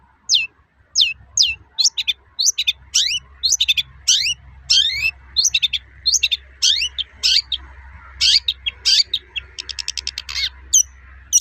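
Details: Long-tailed shrike, a cendet in active full song, used to provoke other shrikes into singing: rapid series of sharp, high descending whistled notes, many per second, with fast trills and chatter, some notes rising steeply; low hum underneath.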